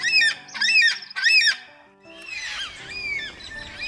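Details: Yellow-tailed Black Cockatoo (Calyptorhynchus funereus), wild in Australia, giving three loud, drawn-out, mournful wailing calls, the distinctive call often heard in flight, then softer, more distant calls over faint background music.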